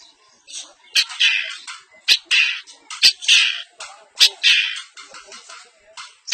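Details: East Javanese semi blangkon long-tailed shrike performing isian song: harsh grating phrases, each lasting about half a second, broken by sharp snapping clicks roughly once a second.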